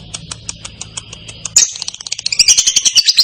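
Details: Lovebird ngekek, a long clear trill said to draw answers from other lovebirds: soft spaced high ticks over a low hum, then a sharp onset building into a loud, rapid, shrill trill.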